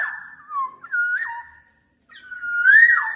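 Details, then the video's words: Black-naped oriole's clear flute-like whistles: a falling then level phrase, a pause, then a long rising-and-falling slurred whistle, clean recording. "Tiếng chim Vàng anh Gáy đen/ VA Trung Quốc ✅Black-naped Oriole(Oriolus chinensis) ✅นกขมิ้นท้ายทอยดำ"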